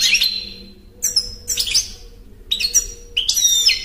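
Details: European goldfinch song: short bursts of bright twittering and liquid chirps, each phrase under a second with brief pauses between, over a faint steady low hum.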